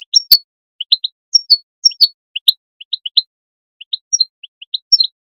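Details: European goldfinch calls used to stimulate goldfinches to sing: quick, clean high chirps and twitters, often in pairs or short clusters, with brief pauses between bursts and no other sounds.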